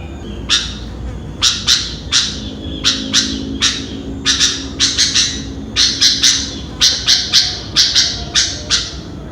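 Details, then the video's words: Noisy morning song of a sooty-headed bulbul at around 5 am: rapid series of loud, sharp, scratchy chirps, often in pairs or triplets, repeated roughly twice a second, with faint low hum behind. "Burung Kutilang atau Burung Gentilang Berbunyi dan Bernyanyi di Pagi Hari"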